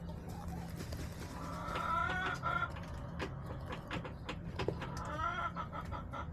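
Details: Chickens in a backyard, March 30, 2024, giving higher, nasal, wavering calls in two bouts, with scattered pecking clicks and background hum between them.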